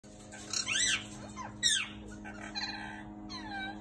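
Turquoise parrots give a few high, twittering chirps with quick rising and falling sweeps, spaced irregularly over a steady mechanical hum.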